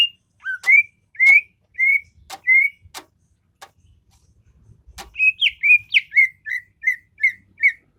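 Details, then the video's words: Greater green leafbird singing: clear whistled notes repeated about every half second, some with sharp clicks, a pause with faint rustling, then a faster run of slurred whistles. "burung cucak ijo"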